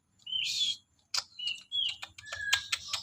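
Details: White-rumped shama song, softer and set further back: thin high whistles and sharp chips with brief rising notes, broken by short gaps, over a faint low hum.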